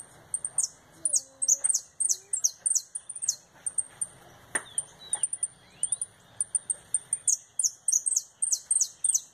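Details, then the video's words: Returning from molt, a retinido canary delivers a fast turn: rapid ringing, sharply falling high notes in quick runs, broken by high ticks and a few short lower whistles, then resuming at full pace. "Canário retinido"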